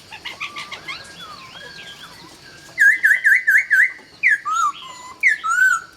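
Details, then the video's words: Dawn singing of a laughingthrush: soft warbled notes, then a loud run of five quick undulating whistles and several sliding, downward-curving phrases. "Nghe Tiếng Chim Khướu Hót Cực Hay"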